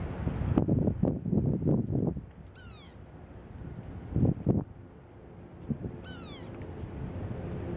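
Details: Sapsucker, possibly a young bird, calling vocally at daybreak on a cold, windy morning: two brief, nasal, downslurred mewing calls about three and a half seconds apart, over heavy wind rumble and gusts.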